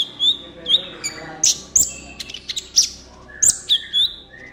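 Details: Kolibri ninja, a sunbird, recorded as a lure for captive birds: varied high notes with short slurred whistles, sharp piercing chips and brief downslurs separated by small pauses.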